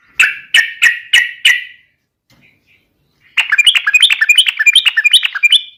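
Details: Yellow-vented bulbul (trucuk) singing to provoke rivals into fighting: five evenly spaced, strong chirps, a pause with faint soft notes, then a lively, rapid string of bubbling, rising and falling phrases.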